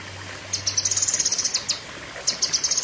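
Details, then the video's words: A Cucak kinoi sings in short, intense volleys. A rapid string of high, piercing notes is followed by a pause and then a second quick high-pitched burst. "Tembakan Ngeri Cucak Kinoi (Pedes Panjang)"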